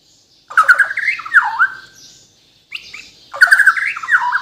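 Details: Captive Bornean white-rumped shama from Kalimantan singing rich mid-pitched warbled phrases with falling slurs, two bursts separated by a short pause.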